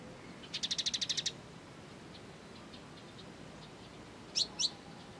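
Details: Kolibri ninja sunbird, rare training material: a quick high rattle of about ten notes, a pause with faint ticks, then two loud sharp chirps.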